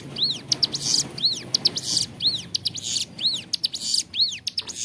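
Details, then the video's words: Clear-voiced Bar-winged Prinia in full song, used to tutor caged birds: a steady run of rising-and-falling whistled arcs, each followed by a rasping buzz, repeated about once a second. "Ciblek gunung gacor suara jernih, cocok buat masteran"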